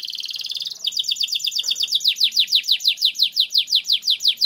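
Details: Canary in full song with a long roll, intended as a lure for training; a rapid buzzy trill opens, then quick repeated notes slowing into loud, regular downslurred chirps about three per second.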